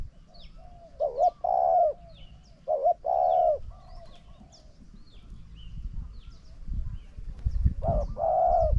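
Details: Spotted dove cooing as a decoy faces a wild bird. Two loud phrases close together, each a clipped double note then a sustained mellow coo, are followed by softer trailing coos. One more coo begins at the end as low rumbling builds.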